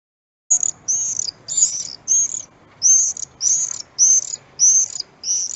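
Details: Common swift, present in Central Europe for only three months from May and hunting insects around houses, giving shrill, high screams in half-second bursts, repeated nine times in quick succession; nothing else heard.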